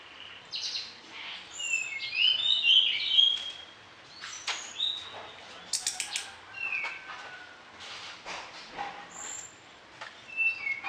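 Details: Orange-headed thrush singing persistently with varied fill phrases, offered as training song for other birds in the morning and evening; scattered whistled and warbled phrases with short chips and sharp high notes, some gaps between bursts.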